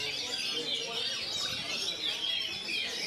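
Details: Continuous 'ngerol' singing of an Oriental magpie-robin, phrases delivered with very short pauses: bright whistles and sweeping slurred notes run on without a break, layered over soft chattering and low background noise.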